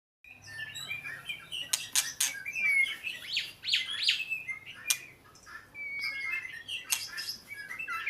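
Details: Oriental magpie-robin singing: varied whistled phrases with clear rising and falling notes, interspersed with sharp clicks and short chirps, mostly high-pitched and continuous over several seconds.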